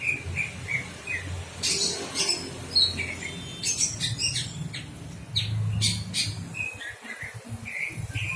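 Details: Birds giving short chirps and squawky notes in irregular bursts, mixed with sharp clicking noises and a low background rumble.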